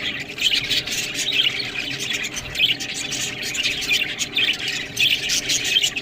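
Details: Feeding budgerigars on green food produce a pulsing, high-pitched chatter, with waves of squeaky warbles and chirps rising and falling every second or so.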